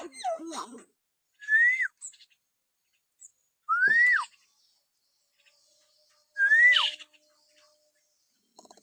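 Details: Common hill myna giving natural whistles used as a lure to stir pet mynas to sing: clear whistles that rise and then drop sharply, repeated about every two and a half seconds, with brief harsh notes between.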